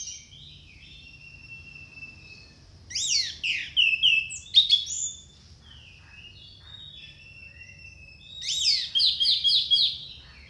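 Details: Song of an orange-headed thrush used to coax silent or stalled caged birds: bursts of rapid, high twittering and chattering phrases separated by pauses, the last ending in a fast repeated trill, with faint background hum.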